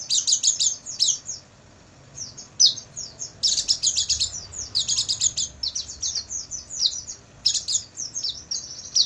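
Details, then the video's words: Oriental white-eye singing at night in a training recording for caged birds, meant to get birds singing their full repertoire by morning; high, rapid twittering bursts in dense clusters with short pauses between phrases. "MASTERAN PLECI MALAM HARI,AGAR PAGI GACOR BUKA PARUH dan bongkar isian"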